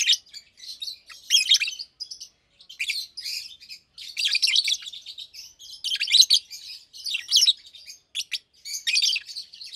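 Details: Two adult caged Fischer's lovebirds, almost two years old, one pastel green and one blue with a white head, chirping and singing during the day: dense bursts of high, harsh, buzzy chatter and twitters in irregular runs with brief gaps.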